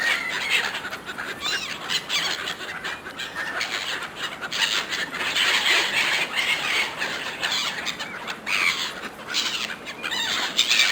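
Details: Several gulls compete fiercely for food thrown to them by a person, giving a dense, overlapping chorus of harsh squealing and mewing cries that rise and fall in bursts throughout.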